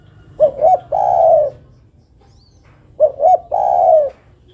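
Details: Two full coo phrases from a female spotted dove calling the male, each a pair of short rising notes followed by a sustained, gently falling coo, over low background hum.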